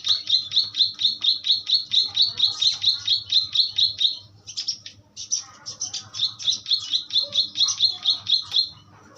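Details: Asian pied starling tutor song: rapid, evenly spaced high chip notes, briefly broken by a pause and some scratchier notes, then resuming the quick repeated chipping over a faint low background hum.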